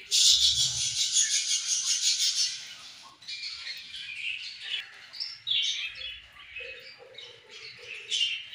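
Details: Several budgerigars feeding and playing together, giving dense, busy high chirps and warbles, loud and continuous at first, then broken into short squeaky bursts and trills.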